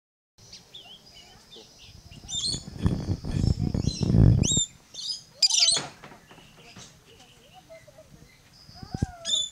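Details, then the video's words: Yellow-streaked lory at Lion Country Safari, South Florida, singing: shrill, high screeches and squeaky chatter in scattered bursts, over low rumbling handling noise and faint background chirps. "Yellow Streaked Lory Singing"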